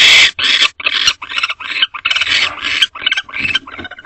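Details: Wild barn owls mating in a nest box at 1:10 am on 22 March 2025, without a food delivery: harsh raspy chittering bursts repeated about twice a second, loud and close.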